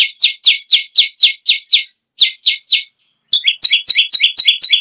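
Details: Bar-winged prinia in persistent song, a model bird for training others: a run of slightly lower, downslurred high chips with short breaks, then a faster series of bright paired notes.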